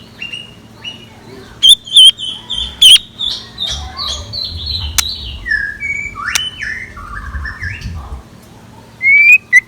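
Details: Morning song of a scarlet minivet used as a decoy: loud, high, thin whistled notes with quick wavering inflections, set among a busy chorus of other chirping birds and faint low rumble.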